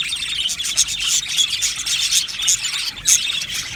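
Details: Many Australian budgies in an aviary keep up a steady, shrill chattering of short chirps and squeaks, with a few sharper notes standing out.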